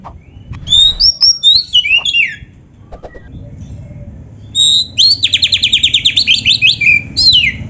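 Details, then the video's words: Oriental magpie-robin in full gacor isian song, loud and varied: swooping whistled phrases at first, a brief lull, then a fast run of about a dozen repeated sharp notes ending in a falling whistle. "suara burung kacer gacor full isian"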